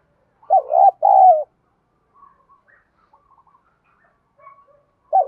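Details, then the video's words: Spotted dove in the 'thổ bầu' style, whose call is said to provoke fights and is used to lure wild doves. It gives a low two-part coo, wavering then falling, followed by a pause with faint chirping and the start of another coo. "chim cu gáy giọng đồng thúc đấu, dùng bẹo bổi thì hiệu quả nhất"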